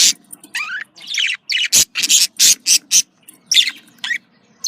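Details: Pet budgerigars calling, played to stimulate breeding; sliding squeaky notes followed by a sequence of loud harsh squawks, roughly three per second, and a soft low hum.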